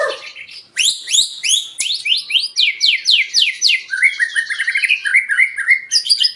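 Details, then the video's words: White-rumped shama singing to provoke other birds into song: a fast series of sharp descending whistled notes about three or four per second, then lower rapid chattering notes and a final high flourish. "Pancingan murai batu 🔥 Naikan emosi burung auto ikut gacor"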